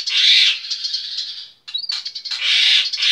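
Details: Eurasian tree sparrow, a caged pet, gives harsh, buzzy chattering bursts with a brief thin whistled chirp between them.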